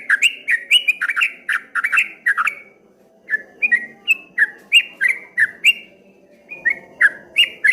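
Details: Streak-eared bulbul, called trucuk kebo, giving its rolling wave-like song: quick bursts of sharp, falling whistled chirps delivered in two runs separated by a brief pause, with faint background hum.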